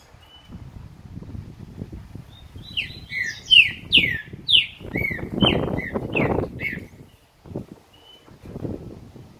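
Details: Green-winged saltator song: a burst of bright downslurred whistles in quick succession, ending in a few slurred notes, over steady low rumbling and handling noise.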